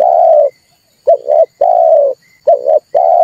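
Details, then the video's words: Lure call of a red turtle dove for trapping, used to stimulate calling: long sustained low coos alternating with quick double coos, loud and clear. "tiếng chim cu ngoi dùng cho kich chim hót dùng để bây"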